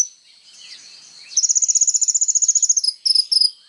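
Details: Kolibri ninja sunbird singing as training material for songbirds: faint thin notes open, then a long, very fast, high trill of evenly repeated notes, ending in a few short high chirps.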